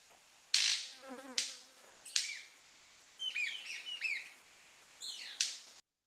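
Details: Golden-collared Manakin males gathered at a lek to attract females, from the western cordillera: four loud, dry wing snaps about a second apart, with a burst of short, bright, chirping calls between them.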